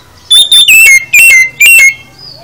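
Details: Kacer, or oriental magpie-robin, in full isian song: four loud, clear whistled phrases, each slurring downward, given in quick succession over about one and a half seconds.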